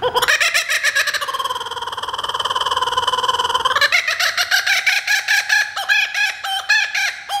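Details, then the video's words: A kookaburra gives a loud, raucous laugh: a rolling chuckle building into rapid hooting 'ha-ha-ha' bursts, about four per second, rising and falling in pitch. "Kookaburra calling"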